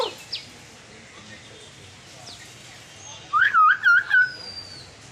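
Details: Hill myna from Bangladesh, talking: after near-silence with faint scattered chirps, a loud burst of four quick, voice-like modulated syllables comes in just over a second near the end.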